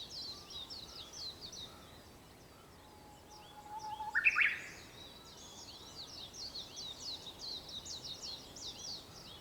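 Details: Dawn song of a Japanese bush warbler on 4 May 2021 near 5 a.m.: a quiet, drawn-out low whistle about a second long ends in a sudden, loud two-note burst. Constant high chattering of other birds fills the background.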